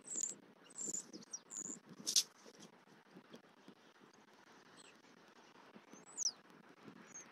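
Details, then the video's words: Nesting female bald eagle in Southwest Florida on 23 November 2024, vocalizing as the male brings a fish; quick high, thin whistled chirps clustered at the start, then a pause and a few further squeaky notes amid background noise. "M15 delivers a fish to the nest for F23, she vocalizes loudly"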